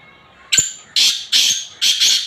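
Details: Black francolin, known locally as kala teetar, calling. Four harsh, raspy broadband notes in a rhythmic grating sequence, each about a third of a second long.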